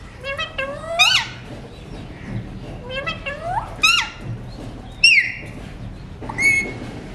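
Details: Alexandrine parakeet (talking mutation), talking while eating seeds, chatters in nasal, speech-like phrases, four short bursts of rising, harmonic squawks over about seven seconds, with a low room hum beneath.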